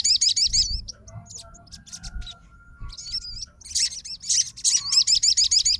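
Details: Sogon (Crimson Sunbird) fighter bird answering a rival sogon's song with bursts of high, fast, warbling trills, a quieter stretch of thin chips in the middle, then the rapid trilling resumes.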